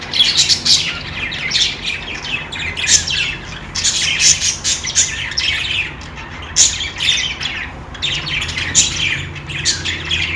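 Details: Budgerigars chirp and squawk in repeated loud bursts separated by quieter moments, the notes high, rasping and tumbling over one another, with a low hum beneath.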